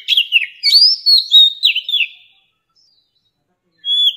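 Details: Mature wild Oriental magpie-robin singing, a recording used to train young birds' voices: a lively two-second phrase of looping, slurred whistles and quick rising notes, then silence and a single clear whistle starting at the end.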